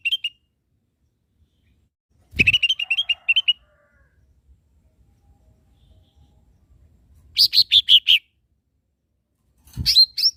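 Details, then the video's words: Lesser green leafbird training song for caged birds: a long string of fast chirps, a pause, then a run of higher, evenly spaced notes and a final short phrase. "SUARA BURUNG CAK IJO MINI"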